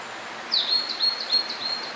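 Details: Blue-and-white flycatcher in song at Hakone in spring, newly arrived for summer: one bright rising whistle followed by a run of quick, clear, high notes on an even pitch, with soft ambient noise beneath.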